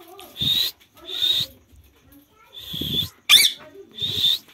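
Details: Parrot from an Indian village, swinging on a swing, gives harsh, noisy screeches, each about half a second long with gaps between, plus one sharper, brighter squawk; low thumps under some calls.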